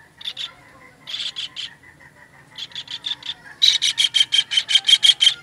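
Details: Kingfisher call master for training songbirds: short clusters of gritty notes, a faint low drone between them, building into a long loud series at about three notes per second.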